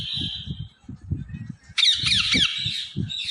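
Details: Pet ring-necked parrot known for talking, letting out a loud, harsh, rasping squawk over a low human voice speaking nearby, after a thin sustained tone.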